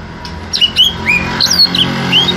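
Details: Small-bodied greater green leafbird singing a quick series of varied whistled notes, slurred up and down, some rising and some falling, over steady low hum in a room.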